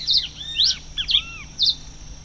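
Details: Red-crested finch recorded on 22 October 2008: sharp, bright chirps and quick down-slurred notes in four short bursts across about two seconds, with a steady high thin tone running underneath.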